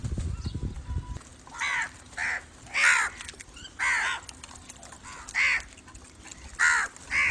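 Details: Crows cawing: about nine harsh, hoarse caws in an irregular series after a brief low rumble at the start, each call short and raspy with a slight downward bend.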